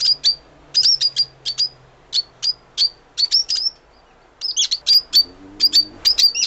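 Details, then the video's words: Lovebird repeating clipped, shrill chirps in a steady series, with some notes doubled and a harsher burst of overlapping squeaks near the end; a faint low hum in the background. "Неразлучники. Попугай. Голоса птиц"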